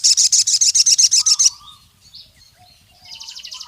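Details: Forest crimson sunbird calling a rival male: a rapid, very high, buzzy trill of evenly spaced pulses for about a second and a half, then soft thin notes and a fainter high chatter rising again at the end.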